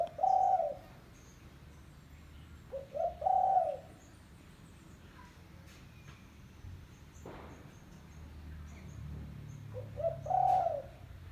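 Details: Spotted dove calling as a lure for other doves: three low coo phrases, each short notes then a drawn-out hoot, spaced irregularly, with faint background chirps and a soft low rumble midway.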